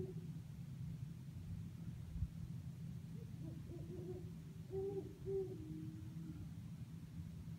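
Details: Great horned owl hooting from eucalyptus trees outside a window at Sherman Island, California: a soft run of low hoots, then two or three deeper, stronger, drawn-out hoots over a steady low rumble.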